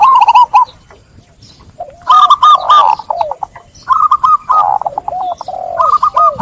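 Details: Local zebra dove in song, prompting other doves to call: quick bursts of soft, rolling staccato coos in short phrases, repeated every second or so, with other doves answering.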